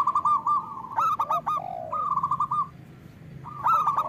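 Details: Strong-voiced local zebra dove singing as a lure for lazy doves. A fast series of clipped coos is joined by a lower, drawn-out sliding note, then a pause before the quick staccato phrase returns.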